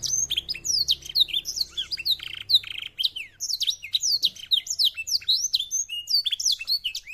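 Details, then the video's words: Black-throated canary, a finch from Africa, sings a fast, continuous stream of high, sweet twittering notes and quick upward-sweeping trills without pauses, over a quiet background. "KENARI ISIAN BLACKTHROAT"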